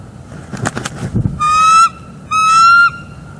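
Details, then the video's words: Soft rustling at the nest, then two long, steady, ringing squeals from a nesting bald eagle in northeast Florida, recorded by a live nest cam on a December 2021 morning around mating. "Bald eagles; morning mating and vocals"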